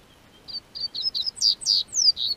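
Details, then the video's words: Double-collared seedeater kept by a registered amateur breeder in southern Brazil, singing as the weather begins to warm: starts with soft short whistles, then accelerates into loud, high, downward-sweeping notes. "O Tempo Esquentou, COLEIRO Cantou"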